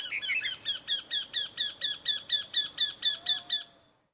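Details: A Eurasian wryneck in Kashmir gives a fast run of about fourteen nasal, ringing 'quee' notes, roughly four a second, steady in pitch, then stops.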